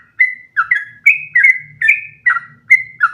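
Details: Sooty-headed bulbul singing a long run for other birds to learn from; sweet whistled notes, some held flat and others falling, spaced about half a second apart, with faint low background noise.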